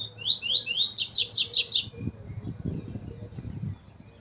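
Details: Double-collared seedeater singing a rapid run of about eight high, slurred notes that quicken and climb in pitch. The phrase is followed by low rumbling background noise.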